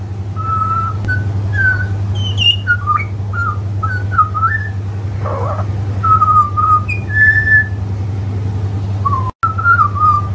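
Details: A butcherbird perched on a hanging basket or stick in a garden sings clear, fluty whistled phrases to a person working nearby, rising and falling with brief pauses, over a steady low rumble and a sharp click near the end.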